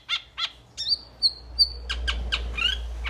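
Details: Metallic starling (Aplonis) song with sharp chips, three drawn-out level whistles, and then a rapid string of clicks and squeaks over a steady low rumble.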